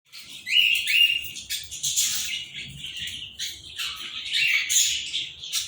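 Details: A pair of Indian ring-necked green parrots, kept birds, giving harsh, raspy squawks and screeches, some with short rising whistled starts, in bursts over about six seconds with little pause.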